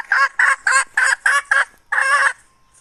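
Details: A hen, recorded in 2021, calls in a rapid series of six short harsh clucks at a steady quick pace, then one longer rasping note, with a faint thin tone lingering after it.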